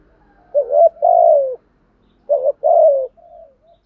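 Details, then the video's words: Decoy spotted dove calling to attract wild doves, two phrases each of a short wavering note and a longer, gently descending coo, the second trailing off in soft quieter notes. "chim cu mồi thúc gù bài bản nhất hiện nay, chim cu gáy kích bổi hiệu quả nhất hiện nay"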